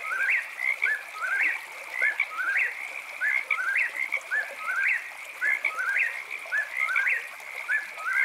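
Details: Eastern whip-poor-will at night, rhythmic whistled three-note phrases, a low note then a quick rise to a sharp upper note, repeated roughly once a second throughout, with a constant high chorus droning behind.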